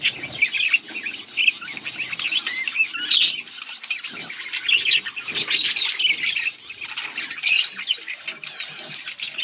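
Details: Pet budgies, parakeets, recorded August 19, 2024, keep up a long, nonstop warbling of chirps, trills and scratchy notes from several birds at once, loud and even throughout.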